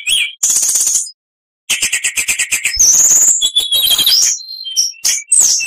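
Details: An oriental magpie-robin delivers buzzy two-level trills, a brief silence, a fast stuttering trill, then high sweeping whistles and varied mimicked notes.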